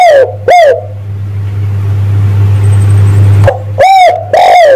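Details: Spotted dove call played to lure males: coos open and close the stretch, each a rounded note that rises then falls, with a quiet gap between them and a steady low electrical hum underneath.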